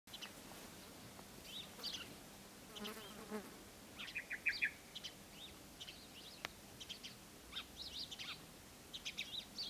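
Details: Asian green bee-eaters (Merops orientalis) at Wadi Bih, UAE, on 5 February 2013, give short, high trilled chirps in loose scattered bursts, with a soft insect buzz and light background hiss.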